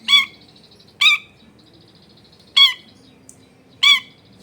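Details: Long-tailed shrike lure sound meant to make other shrikes respond, recorded at home: four harsh, nasal squawks, each short and buzzy, repeated at irregular gaps of one to one and a half seconds over quiet background.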